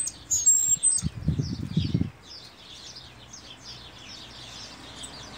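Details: Cuban grassquit (tomeguín del pinar) singing its triple whistled song continuously: thin, high, wispy notes in quick repeated phrases, with a brief low thumping noise near the start.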